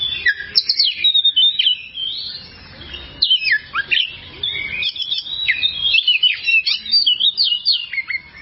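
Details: Kacer, the oriental magpie-robin, singing in a long training recording for caged birds: fast, varied sequences of sharp whistles, slurred notes and chirps, delivered in dense bursts with short gaps.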